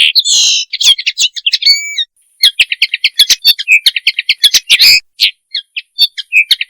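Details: Common linnet giving its mating call, used for training and hunting: a dense run of quick chirps and twittering notes, a pair of drawn-out whistles, then more rapid varied twitter.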